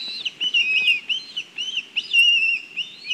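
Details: Black kites in Kurzeme, Latvia, on a live stream: high, quavering whistled notes that waver up and down in a whinnying run, with a faint low background rumble.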